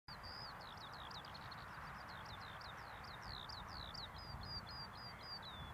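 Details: A Eurasian skylark near Dunston pours out a fast, unbroken stream of high chirping and warbling notes over the steady roar of passing Class 745 trains.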